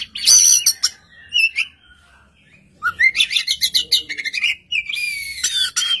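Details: Oriental magpie-robin in lively song, answering another singing magpie-robin: loud bursts of sharp, bright notes and rising whistles, then a run of rapid chattering phrases and harsh, rasping sweeps.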